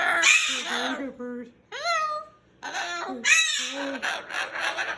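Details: Male Moluccan cockatoo in a bedtime tantrum, refusing to go to his cage, gives harsh, raspy screeches in short, loud, broadband bursts, with a person talking in between.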